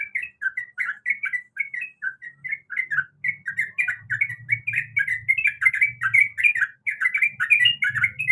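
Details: Sooty-headed bulbul, female calling to the male: a lively series of short, rounded chirps, quickening into a dense bubbling chatter, with a low rumble beneath in the second half.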